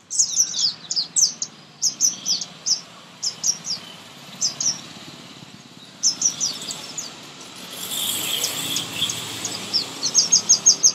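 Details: Young birds chirping during feeding, heard close by: clusters of quick, high, clipped chirps in short groups, a brief rushing noise midway, and a closing run of evenly spaced sharp notes.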